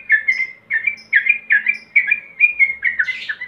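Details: Male yellow-vented bulbul calling a rival: loud, bubbly, liquid phrases repeated about every half second, each a short warbled burst with a higher note at the end, closing in a harsher, scratchier flourish.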